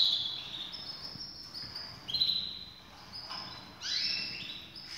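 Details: High, mixed canary phrases from birds ready for breeding: short whistled notes and trills, several overlapping songsters, moderate loudness with a soft noisy background.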